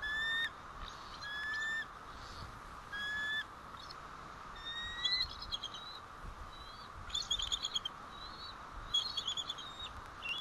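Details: Bald eagle alerts at the White Rock nest, 1 April 2012, mid-morning, as the male comes back: several drawn-out whistled notes give way to rapid, high, twittering chitters in broken bursts over light background hiss.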